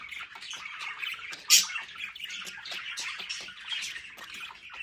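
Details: Budgerigars kept indoors at home give a steady stream of scratchy chirps and warbles, punctuated by one loud harsh squawk early on.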